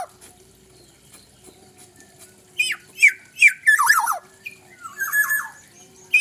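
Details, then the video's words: Black-naped oriole, pareasi calling: after two quiet seconds, loud rasping downslurred squawks come in a tumbling run, then softer nasal notes and a final squawk, over a faint steady low hum. "suara pareasi kepodang mantap"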